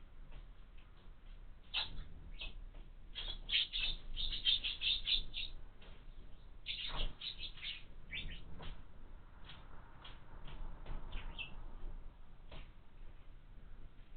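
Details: House sparrow chicks at a bird feeder mounted on a window: dense bursts of short, high, sharp chirps, several per second, in uneven runs with brief pauses, over a steady low background hum.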